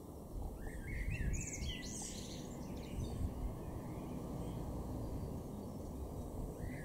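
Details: Eurasian blue tit in a garden in Norden, East Frisia, northwest Germany, April 2021: a quick cluster of thin, high chirping notes over about a second, then a lone note near the end, over steady low rumbling noise.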